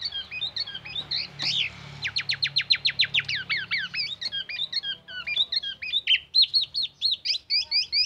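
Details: Black-naped oriole singing intensely with mimicked oriental magpie-robin phrases and an ambulance siren: rapid series of sharp rising whistled notes, then varied looping whistles and chirps, loud and repeated about twice per second near the end, over low hum.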